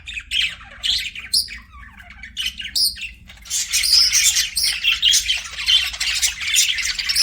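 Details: Pet budgerigars chirping: bright, rapid, scratchy warbling and squeaky tweets from several birds, rising into a dense continuous chatter after a few seconds.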